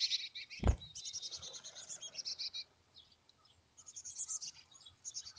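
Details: Chickadee at a wild nest cavity near Emigrant, Montana, on July 14, 2022. High, thin twittering notes repeat in uneven bursts. A single dull thump sounds early on, a short lull falls midway, and the high chatter then resumes.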